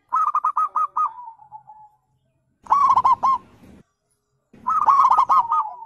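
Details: Zebra dove song played to stir birds into answering: a row of crisp repeated coos fading into descending notes, then two further dense bursts of rapid arched coos separated by silence.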